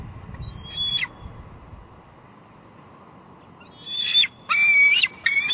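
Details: Young female bald eagle, filmed by a live camera at a Two Harbors nest in July 2022, expecting a food delivery: one thin high whistle, a quiet pause, then a burst of harsh, loud, high squeals.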